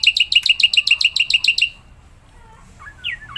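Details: Black-winged myna (Javan white starling), a caged bird in full voice, kept to prompt other mynas to sing: a fast run of about a dozen sharp, repeated chirps in under two seconds, then quieter scattered whistles and slurred notes.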